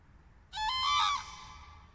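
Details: In the early morning over a field in thick fog, a common crane gives a single loud, rich trumpeting note under a second long, rising slightly, then echoing away into quiet; a pair was seen later.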